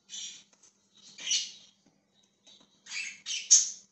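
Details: Budgerigar chirping: short bursts of bright, scratchy high chatter in three clusters, with brief gaps of silence between them and a faint low hum underneath.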